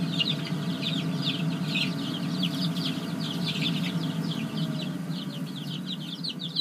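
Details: Chicken chicks from a layer project, kept in a small brooder coop, peeping constantly in fast, high, overlapping cheeps over a steady low hum.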